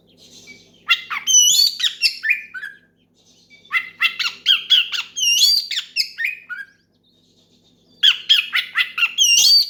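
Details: Oriental magpie-robin in loud song aimed at a rival and meant to set others singing: three long bursts of fast, harsh chattering notes and rising whistled slurs, split by brief pauses.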